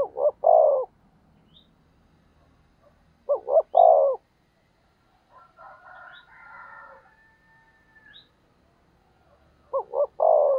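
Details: Spotted dove used as a decoy, giving a 'thúc gù' call meant to provoke wild doves into cooing back: loud mellow coos in three-note phrases, two short notes then a longer one, repeated about every three seconds, with faint softer sounds between.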